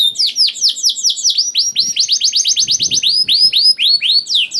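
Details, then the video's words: Juvenile canary song meant to prompt quiet canaries to sing, made of quick chains of bright, falling whistled notes repeated about twice a second, shifting into higher and lower trilled phrases. "PANCINGAN KENARI PAUD TERBUKTI AMPUH MEMANCING KENARI SUSAH BUNYI IKUT GACOR"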